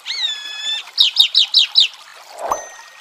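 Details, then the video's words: A chalk-browed mockingbird sings a rich, buzzy held phrase, then five quick, bright down-slurred notes, followed by a soft splash of water. "Canto de Sabiá do Campo Cantando com som de Água"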